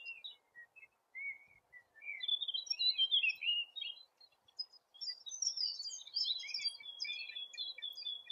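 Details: Eurasian penduline tit calling: a series of thin, high chirps and short whistled notes, some sliding downward, starting sparse and thickening into dense overlapping twittering in the second half over a quiet background.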